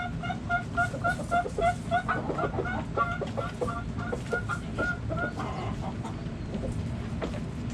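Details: Hens in a backyard flock cluck rapidly, a brisk string of clipped, nasal notes that thins out and grows fainter toward the end, over constant low hum.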